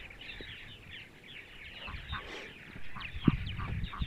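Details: Purple martins on a sunny Sunday morning in central Ohio chatter steadily in overlapping rich, gurgling chirps, several notes each second, over a low rumble of wind.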